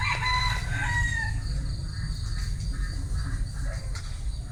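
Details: Bantam rooster crowing: a harmonic, falling call in the first second and a half, then fading into steady low rumbling background noise with faint distant sounds.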